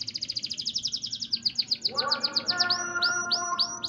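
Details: Canary song: a fast series of repeated down-slurred chirps, about four per second, then a steady tone with harmonics and looping high chips.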